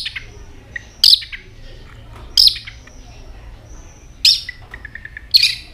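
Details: White-rumped shama, singing in many voices with constant tail flicking, gives short harsh rasping bursts about every second or two, with faint soft ticking notes between them.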